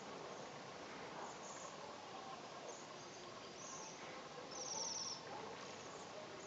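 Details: Waxwing in the Ural region: faint high thin trills recur through the clip, then a louder, very high buzzy trill rings out near the end over a steady broadband hiss.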